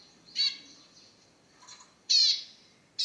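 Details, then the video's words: Zebra finch singing: a few short nasal, buzzy notes rich in stacked overtones, a loud one near the start, a softer one in the middle and two more strong blasts at the end, over a quiet background. "تغريدة طائر الزيبرا ررررروعة"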